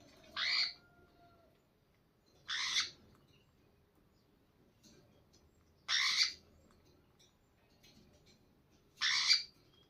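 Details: A slaty-headed parakeet feeding a chick gives four harsh, raspy screeches, each under half a second, every two to three seconds over a faint low hum.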